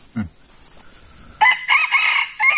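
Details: Red junglefowl crow as a decoy bird meets a small, very fierce wild male in the forest. A hoarse, broken crow of several harsh phrases starts after a brief pause, over a steady high insect drone.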